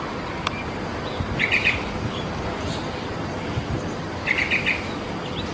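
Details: Wild yellow-vented bulbul singing: two short bubbly, chattering phrases about three seconds apart, each under half a second, over steady hissing outdoor background noise.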